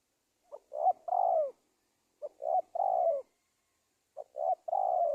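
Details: Spotted dove lure sound for trapping wild doves: three three-part phrases about every two seconds, each a tiny note, a short coo and a longer falling hoarse coo, over a quiet background.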